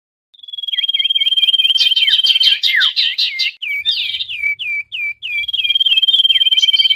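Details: Common iora noisy calls used as a lure for trapping wild birds: a long steady whistled tone overlaid with quick repeated hooked, down-curving whistles, a dense tangle of chattering notes in the middle, then the steady whistle returns.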